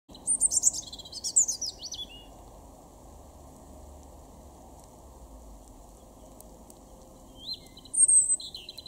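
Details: European robin in a garden in Weener, East Frisia, far northwest Germany, in April 2021, singing short, high, thin warbled phrases with long pauses between them over a steady low background hum.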